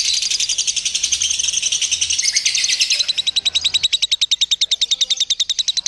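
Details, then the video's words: Simulated lovebird contest chorus for building competition confidence: dense, shrill chattering trills that thin after about three seconds into a rapid, evenly spaced series of sharp repeated notes, roughly three or four per second. "SIMULASI LOMBA TERBARU : TERBUKTI AMPUH MELATIH MENTAL LOVEBIRD"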